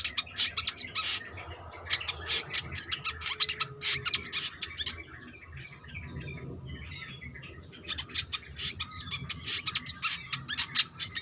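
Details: Brown-throated sunbird, a female calling to a male, giving rapid sharp high clicking chips in fast bursts, with a lull mid-way and a steady low background hum.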